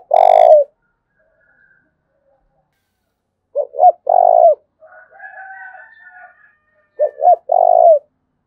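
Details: Spotted dove of Dong Nai, Vietnam, calling in the 'thúc bổi' manner: three loud low coo phrases, each two quick hooked notes and a longer held note, a few seconds apart, with faint higher crowing between them.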